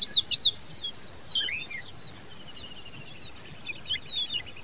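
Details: Common babbler chicks being fed by their mother, crying for food: a dense chorus of high, squeaky, rising and falling chirps, rapid and overlapping, with brief pauses between bursts.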